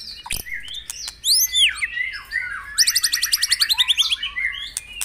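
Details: White-rumped shama singing at morning dew-bathing, played to stimulate caged birds: sweeping upslurred whistles, then a long rapid rattle of evenly repeated high notes in the second half.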